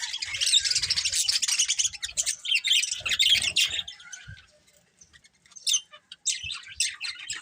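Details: A breeding pair of colourful pet budgerigars chattering in fast, high, buzzy twitters, dense at first, then fading to a lull before scattered sharp chirps return.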